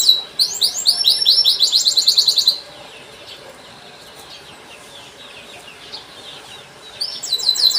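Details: Long chirping canary song meant to coax young canaries into singing: a burst of rapid repeated sweeping chirps for about two seconds, near silence, then the chirping resumes briefly.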